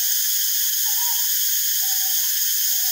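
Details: Two drawn-out low hoots, the first slightly wavering and the second flatter, from a Northern boobook (Ninox japonica totogo) while foraging and preening, under a steady loud high-pitched hiss.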